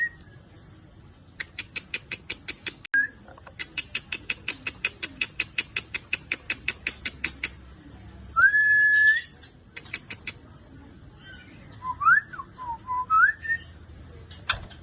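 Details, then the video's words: White-rumped shama repeating long series of rapid dry clicks, broken by a rising, held pure whistle and later short swooping whistled notes, with faint background hum. "MURAI BATU"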